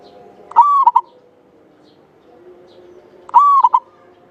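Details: Local zebra dove from Java singing with a long, clear voice, used as a lure. Two identical cooing phrases about three seconds apart, each a held clear note with two clipped notes at the end. Soft low drone underneath.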